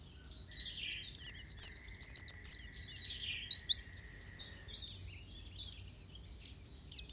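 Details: Pleci, the oriental white-eye, in gacor nembak song: after a quiet second a fast, high, jumbled stream of sharp twittering notes, gradually thinning out, with a faint steady whine underneath.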